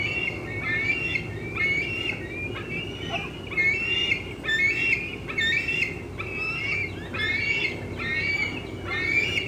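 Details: Bald eaglet squeeing near its nest in the late afternoon of 25 June 2013 as a parent feeds on fish nearby: a run of harsh, quavering, high-pitched squeals, roughly one per second, against constant outdoor rumble.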